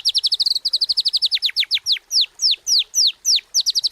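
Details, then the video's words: A White-rumped shama in continuous song, used to coax other shamas into singing, delivers a fast run of high notes that slows into loud, evenly spaced downslurred whistles, each dropping in pitch, about four per second. "Murai Batu Gacor"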